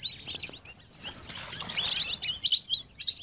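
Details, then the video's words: Lesser whistling ducks: rapid, irregular high-pitched chirps and thin whistles overlap in a steady busy chatter, swelling louder midway. "Lesser whistling Duck Best New Sound 2021"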